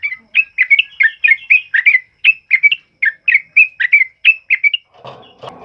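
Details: Sooty-headed bulbul singing a loud ropel song used for training other birds: quick, rolling whistled notes in a steady series, ending in a burst of rustling noise.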